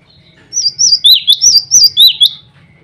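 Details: Male cinereous tit singing to call rivals and females: a quick run of about seven bright, high whistled notes, each sliding down in pitch, delivered in a steady two-syllable rhythm over a faint low hum.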